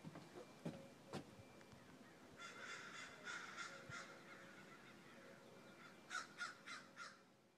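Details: Crows calling outdoors: a burst of harsh caws in the middle, then a quick run of four louder caws near the end, mixed with clicks and knocks and a faint hum.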